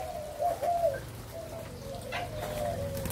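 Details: A Malaysian–Thai line spotted dove, 27 September 2022, gives a soft, low, hollow cooing phrase of a few notes with a fainter drawn-out coo after it; faint background hum.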